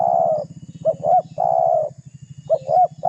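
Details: Spotted dove calling to provoke an opponent, a lure sound: long burry coos alternating with pairs of short hooked notes, clear and loud, with a faint low pulsing hum underneath.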